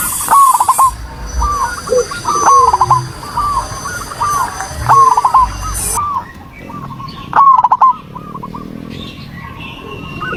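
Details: Zebra dove singing, a lure meant to set off a quiet dove on a terrace: cooing phrases about every second, each a drawn-out note breaking into rapid stuttered notes, some overlapping, with faint background hiss that drops away midway.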